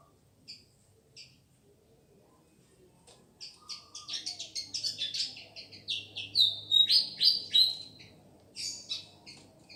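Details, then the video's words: Pied fantail from Madura, Indonesia: sparse high tinkling notes building into a busy run of sharp chirps, with one clear sliding whistle, over a low continuous hum. "Burung kipasan dumajah"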